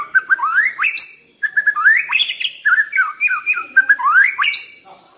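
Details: White-rumped shama decoy bird sings rich, fluting phrases of upward-sliding whistles and short warbles. The phrases are repeated with slight variation, with a brief pause near the start.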